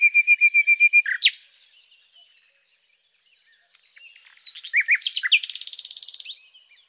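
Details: Common nightingale (Luscinia megarhynchos) opens with a fast run of level whistled notes, pauses, then delivers quick rising chirps building into a dense buzzy rattle.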